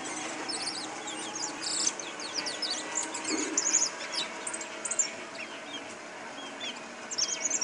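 A European goldfinch sings a fast, tinkling twitter of bright, high chirps and short trills with no pause, over a faint steady background hiss.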